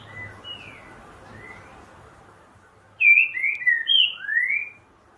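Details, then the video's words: Green-winged saltator (trinca-ferro) singing in the 'boca mole' style: after faint distant whistles, a loud phrase of five clear slurred whistled notes, some falling and the last rising, lasting under two seconds. "Trinca ferro boca mole"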